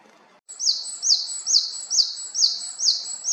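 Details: Japanese tit in Haenam delivering a steady, rhythmic series of loud, high two-note phrases, about seven in quick succession, each a bright ringing note dropping slightly in pitch.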